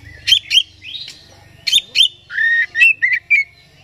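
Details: Kacer, the oriental magpie-robin, singing to rouse another bird's aggression: paired sharp chirps, a rising whistle, a buzzy drawn note and short whistled blips near the end.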